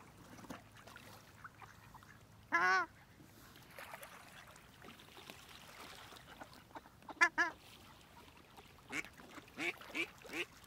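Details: Ruddy shelducks at Zbiljsko Lake on 28 November 2023: loud, nasal, goose-like honks, one drawn-out call, then a quick double honk and several shorter ones spaced irregularly, over quiet lakeside background.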